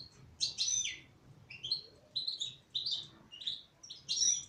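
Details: Female goldfinch singing a lively series of high twittering phrases, each burst of bright whistled and buzzy notes lasting under a second, repeated regularly.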